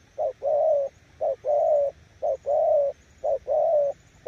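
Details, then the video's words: Cooing nước gù of a spotted dove kept as a decoy bird, Kon Tum. Four steady paired coos, each a clipped lead note followed by a longer hollow, slightly wavering note, evenly spaced in a quiet background. "Nước gù ae tự đánh giá, mồi yếu gặp thứ này chắc cũng thua"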